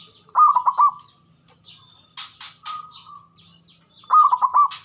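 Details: ['Male zebra dove call used to coax silent doves into calling: a fast trilled coo phrase opens and another closes, with sharp high chirps and squeaks from other birds in between']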